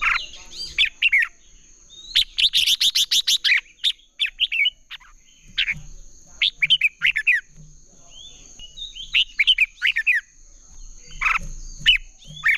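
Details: A Red-whiskered bulbul in competitive song gives bright, bubbly phrases of quick warbled notes, with a fast run of chattering notes near the start; a steady high hiss runs throughout.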